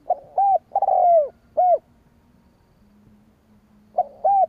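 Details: Spotted dove call for luring rival wild doves: a full phrase of soft coos built around a long falling croon, then after a gap a new phrase begins. A faint low hum runs underneath.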